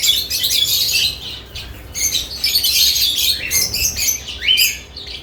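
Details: Lovebirds busy at their newly added nest boxes chirp in a high, rasping stream, with soft wing flutters and a clearer whistled note near the end.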